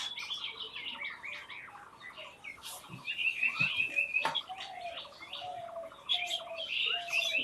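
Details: Chattering mix of wild birds, rapid high twitters and repeated short notes, a loud buzzy trill in the middle, and long mid-pitched whistles drifting through the background.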